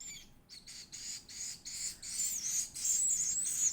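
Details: Edible-nest swiftlet (Aerodramus fuciphagus) baby bird begging while being fed: harsh, hissing buzzes, about three per second, growing steadily louder and more continuous.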